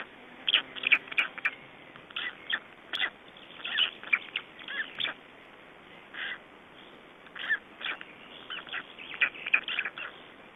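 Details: Three-day-old Black Stork chicks in Estonia, 2012, produce loud, frequent harsh cheeps and squeaky notes in clustered bursts throughout, over a faint steady hiss.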